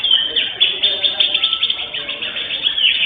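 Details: At an Indonesian bird singing contest on 11 October 2025, the first-place greater green leafbird delivers a rapid, high, unbroken stream of twittering and whistled notes with pulsing loudness, faint voices underneath.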